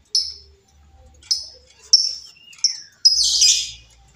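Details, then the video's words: Wild female lovebird, recorded as a lure sound, gives several crisp high chirps about a second apart, then a longer, noisy, grating screech. "suara Lovebird betina liar"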